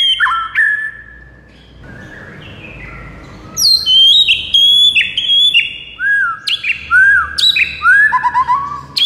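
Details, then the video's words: White-rumped shama singing a rich, varied phrase of loud whistles, trills and downward-sliding notes, used to get a shama to answer quickly, with rapid bursts crowding the second half. "MURAI BATU NYAUT"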